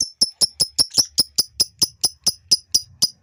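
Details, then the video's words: Ngekek of a male fighter lovebird, a chatter meant to stir females to chatter too: sharp, piercing high notes repeated very evenly about five times a second. "SUARA LOVEBIRD FIGHTER JANTAN NGEKEK"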